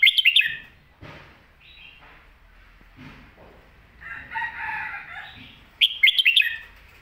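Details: Red-whiskered bulbul delivering its 'Phat Kuay Tiew' master song: a bright, twisting whistled phrase opens and closes the recording. Between them come softer scattered notes and a drawn-out, harsher call from another bird in the background.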